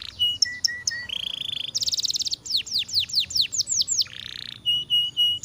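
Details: Canary singing a varied song: short steady whistled notes, a rapid buzzy trill, then a run of about eight sweeping downslurred notes, a broad harsh buzz, and more level whistles.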